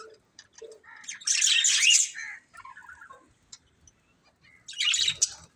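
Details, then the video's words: Budgerigars give scattered soft chirps, then a loud burst of raspy warbling chatter, a few lower squeaky notes, quiet gaps, and another short burst near the end. "Cute Budgies Chirping Sounds"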